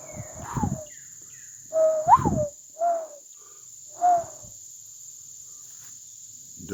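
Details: On a Sunday around 11:30 in late summer, a day after very heavy rain, a Mourning Dove in woods gives soft, low, hollow coos, one rising, then two slower single coos, over a steady high insect drone.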